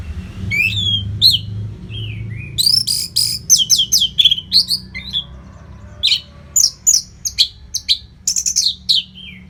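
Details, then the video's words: Song of a caged orange-headed thrush from northern Bali, played to train competition birds: descending whistles, then dense bursts of rapid high chips and trills, later a series of separate sharp downslurred notes about every half second. "SUARA MASTERAN ANIS MERAH GACOR RAPET NO JEDA"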